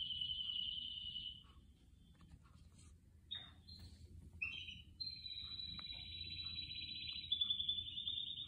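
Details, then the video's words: Canaries singing quietly amid indoor plants: a high rolling trill, a pause, then short chirps and a long steady pulsed trill, with a soft low hum underneath. "زقزقة عصافير الكاناري"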